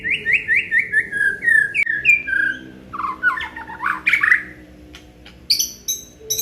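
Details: White-rumped shama of the Aceh type, a kept songbird, singing a varied song: runs of whistled slurred notes, then rich warbling phrases and sharp high chips after a brief pause.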